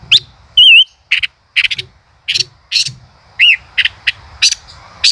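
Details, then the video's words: Singing male common rosefinch: one clear wavering whistle early on, then a later rising-falling whistled note, set among a run of sharp, fairly loud ticking clicks. "chim ngũ sắc trống hót"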